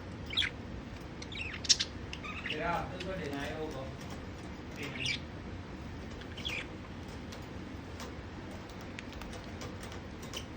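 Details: Budgerigars bathing in mint water give sharp, scattered chirps and a brief wavering warble over a steady watery hiss; finding: Budgerigar.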